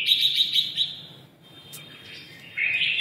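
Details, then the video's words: Red-whiskered bulbul, a red-eyelid type, singing in the style known as 'ché': rapid bright chattering notes, a quiet pause, then a loud warbled burst near the end. "mí đỏ siêu ché"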